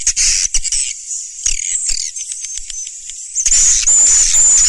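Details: Swiftlet lure recording: very high, thin twittering and chirping with a buzzy crackle running through it, loud throughout and rising into a dense burst near the end.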